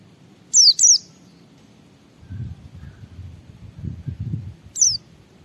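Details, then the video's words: Lure song of a white-eye in the ngalas style to get other white-eyes singing: two quick high falling whistles, a long gap filled by low rumbling background noise, then one more sharp note. "Suara Burung Pleci Gacor membuat Semua Pleci langsung ngalas Bongkar Isian"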